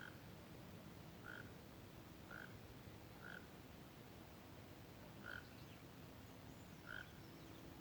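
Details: White-rumped monjita resting on a dry branch in open country; brief soft single notes repeated roughly every second, evenly spaced, with a faint constant background rumble.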